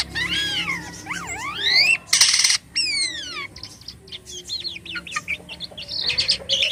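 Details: Jalak kapas starling singing actively in gacor isian style: loud rising and falling whistled slurs, harsh noisy bursts and squeaky chattering notes in a rapid, varied sequence, with no other sounds.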